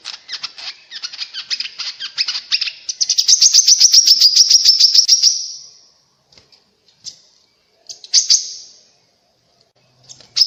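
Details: Grey-cheeked bulbul song used as a lure to make kept and wild birds respond: a long run of high, rapid clipped notes swelling louder, then falling silent, followed by a few scattered short chirps and a brief burst.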